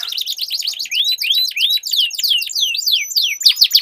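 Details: Two canaries dueling with long rolling song: rapid high buzzy trills broken by clear descending whistled slurs, the phrases overlapping densely with almost no pause.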